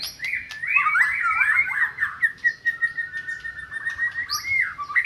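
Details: Song of a white-rumped shama played to coax a non-singing shama into song: fluid, varied warbling that settles into a long steady whistled note with soft stuttering notes beneath.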